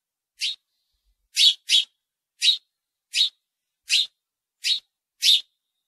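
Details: House sparrow giving eight crisp, emphatic chirps at uneven intervals under a second apart, with nothing else audible.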